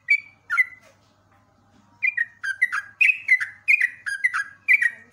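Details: A sooty-headed bulbul gives two whistled notes, then falls quiet for over a second before resuming with a rapid series of chirpy, dropping double notes. Recorded as a masteran for training cage birds.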